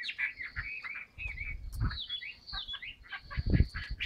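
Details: Somewhat faint Chinese hwamei song from a caged bird: looping whistled slurs and a thin high held tone, with low bumping noises in the background.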